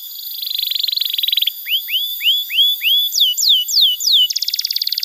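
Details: Young-canary training song, also used to stir silent canaries: a high buzzy trill, five upward-hooked whistles, four sharp downslurs, then another rapid trill.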